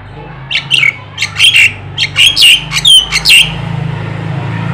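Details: Black-winged starling, white-eyed form, singing energetically as a lure for other songbirds: a string of roughly ten harsh, chattering notes with a brief whistled note among them, then a fade into steady low background noise.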